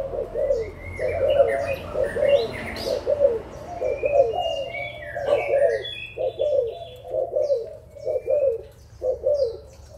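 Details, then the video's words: Mature spotted doves from Malaysia and Thailand, recorded 16 March 2022, give a long run of mellow, hoarse coos at roughly one per second. Short chirps and whistled notes from other birds are mixed in, with faint wing flutters. "cu gáy trưởng thành malaysia và thailand"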